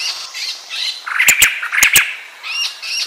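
A white-crested laughingthrush gives harsh, chattering notes mixed with higher squeaky whistles, broken by a few sharp clicks midway through the short burst.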